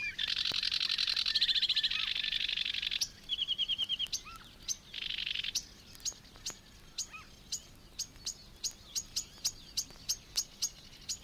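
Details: Sedge Warbler song from the reed beds of Matsalu, USSR: harsh buzzy chattering bursts and a short rapid trill, then a run of sharp dry clicks repeated several times a second.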